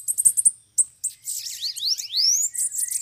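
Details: Bananaquits (sibite) gathered at a trapping cage: a few clipped high chips, then a tangle of rising slurred whistles and sibilant twitters from several birds at once.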